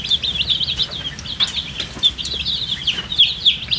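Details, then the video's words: Baby chickens, dyed in bright colours and thirsty for water, chirp in quick, shrill notes about four times a second, the peeps slightly rising and overlapping. "MURGI chicks Chirping sounds with thirst for drink water"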